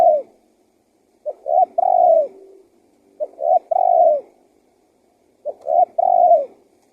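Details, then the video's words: Lure call of a spotted dove for attracting wild doves: three phrases of low hollow coos, two quick short notes followed by a drawn-out, slightly falling coo. Each phrase is separated by about two seconds of silence. "SUARA TEKUKUR GACOR PALING AMPUH UNTUK PIKAT BURUNG LIAR"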